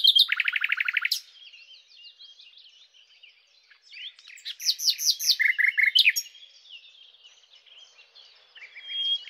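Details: Singing common nightingale (Luscinia megarhynchos): a rapid, loud, buzzy trill, soft varied chatter, then a phrase of strong repeated slurred notes followed by a lower rattling series, tapering into faint twitters.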